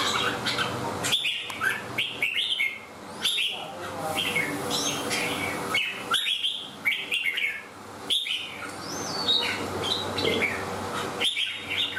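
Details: Red-whiskered bulbul singing in the 'xoè ôm cóng' style, with crest fanned while clinging to its cage: bright whistled phrases, rising and falling, repeated in bursts about every second or two over a low steady hum.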